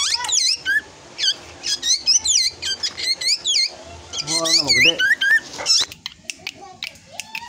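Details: Young drongo growing toward adulthood, singing a rapid run of sharp, sweeping whistled notes, some rising and some falling, in varied chattering phrases broken by short pauses, with a faint low hum beneath.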